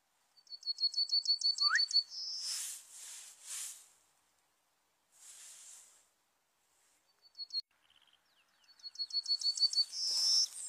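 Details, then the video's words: Serin lure song for trapping: a quick high trill ending in a buzzy note, then loud hissing noise bursts, a brief stuttering phrase, and another rapid trill closing on a sustained buzz. "PIKAT SERINUS SUARA PANCINGAN"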